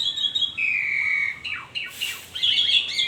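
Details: In the morning an Asian pied starling gives a long level whistle, a few descending slurs, then a harsh burst and rising chattery notes.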